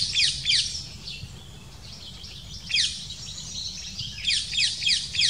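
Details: At a nest, a female Black kite arrives with small prey and feeds her chicks, with thin, high, slightly falling squeals in quick clusters of two or three over a soft low rumble of background noise.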